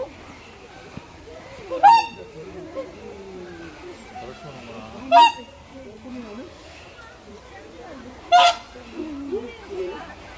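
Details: Whooper swans in a zoo bird park: three loud, nasal honking calls spaced about three seconds apart, with people talking and crowd chatter in between.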